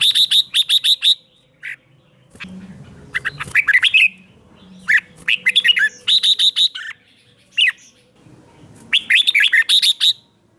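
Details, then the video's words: Red-whiskered bulbul in morning combat-song training. Fast rattling runs of sharp repeated notes alternate with loud, slurred warbled phrases, coming in bursts with brief silences between. "Luyện chào mào hót sáng"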